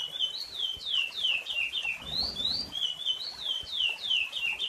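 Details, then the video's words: Chestnut-bellied seed finch, or curió, whistling back-to-back phrases of sweet, falling and rising slurred notes, with a brief low thumping noise midway. "COMO E O CANTO DO CURIÒ"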